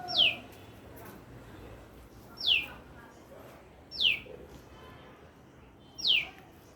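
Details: Four quick descending chirps from a bird in a lemon tree, each a bright falling note, spaced roughly two seconds apart over faint background noise.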